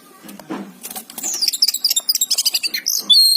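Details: Oriental magpie-robin, described as a lively singer, with fast repeated high notes, about a dozen sharp chips in quick succession rising into whistled slurs near the end; a faint low hum persists underneath.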